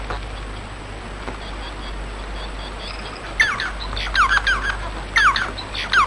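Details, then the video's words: A few quiet seconds of hiss and hum, then a Bengalese finch breaks into song, with quick raspy notes and sharp falling whistles in bunched phrases for the final few seconds. "صوت طائر الموانو البنغالي"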